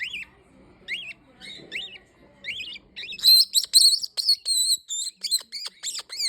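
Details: Green-winged king parrot calling: thin rising-falling chirps at first, then a rapid run of sharp, bright, harmonic-rich squeaks and short chattering notes toward the end, with faint low background rumble.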